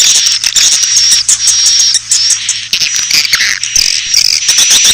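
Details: Asian swiftlets in a lure recording played to attract the birds: dense, continuous high twittering and buzzy chirps, with rapid clicking pulses throughout.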